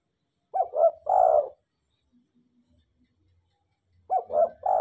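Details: Tame spotted dove singing freely. A soft, throaty coo phrase of quick stuttering notes runs into a longer rolling note. After about two and a half seconds of near silence, the same phrase starts again.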